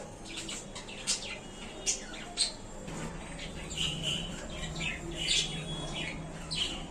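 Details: Several budgerigars, pleased with a new small cage, trade scratchy squawks and warbling high chirps, sparse at first and then busier and more continuous in the second half.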